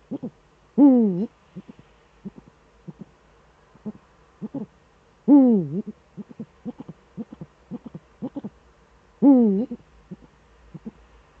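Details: Eurasian eagle-owl pair duetting in the Eifel, male at the nest, evening of 13 December 2013 at 17:25; three strong swooping harmonic calls come roughly every four and a half seconds, while quick short notes tick steadily in between.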